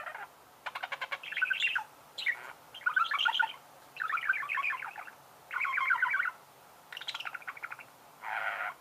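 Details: Budgerigars warbling in steady bursts of rapid, rattling, scratchy notes mixed with chirps, several phrases each lasting about a second, with short gaps between them.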